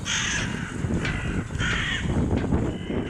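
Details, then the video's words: Small flock of common starlings at Porto Torres harbour, Sardinia, on St Andrew's night 2014: harsh, rasping calls in short bursts every half second or so over a steady low rumble of wind. "Puzones Mùrinas"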